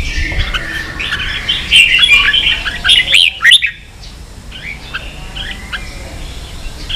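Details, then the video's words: Red-whiskered bulbul 'ché' song for young-bird training: dense fast chattering phrase building up to loud clipped notes near three and a half seconds, then quieter scattered chirps. "luyện chào mào ché.kích chào nào hót ché căng lửa.kich chao mao boi hot เสียงฝึกลูกนก | นกปรอดหัวโขน"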